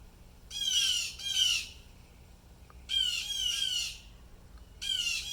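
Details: Blue jays calling in apparent distress, something disturbing them: harsh, buzzy squawks in pairs, each slightly falling, repeated roughly every two seconds with quiet gaps between.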